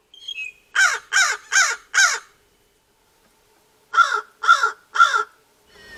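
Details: American crow, a male fledgling attempting an adult voice: a run of four hoarse caws, a pause, then three more, evenly spaced and rough-toned.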